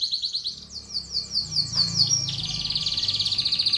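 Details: Contest canary song used as lure and training audio for show birds and young birds: a series of quick descending notes leading into a dense, steady, high trill.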